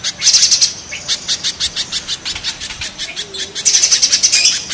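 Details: Spiderhunter, mountain versus banana spiderhunter: opens with a harsh buzzy trill, continues with evenly spaced shrill chips, and closes with another rattling burst.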